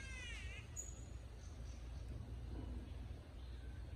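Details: A catbird in tropical forest at Noosa gives a brief, nasal, cat-like wail that bends downward, over a steady low rumble.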